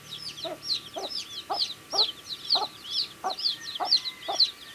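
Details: Baby chicks eating food give many bright, high chirps, some rising then falling, about two per second, accompanied by regular low pecking clicks and a faint steady hum.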